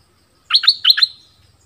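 Orange-headed thrush gives a quick, bright phrase of four clear notes in just over half a second. The notes are sweet and slightly slurred, with a quiet background.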